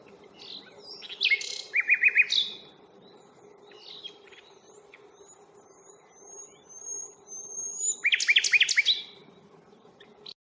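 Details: Common nightingale singing during a walk at Fingringhoe reserve on 1 May, recorded on a Panasonic Lumix FZ82: loud clusters of rattling, stuttering trills, a quieter middle with thin, rising whistles, then another powerful churring burst.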